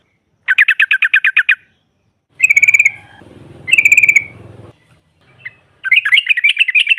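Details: Female yellow-vented bulbul singing to provoke rivals: a rapid volley of identical notes, two short trilled phrases with some low background noise, then a jumbled, excited chatter.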